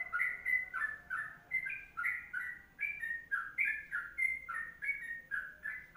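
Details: Sooty-headed bulbul singing a long 'kongslet panjang' (ropelan panjang) style tutor song: a steady chain of short, slurred whistled notes, rising and falling, about three notes a second, with faint sharp ticks above.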